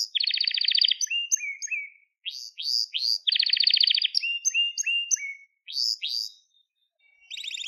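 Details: Crested Gloster canary song used to train young canaries, alternating dense buzzy trills with short falling whistles and upward-sweeping notes in quick succession, clean with no background noise.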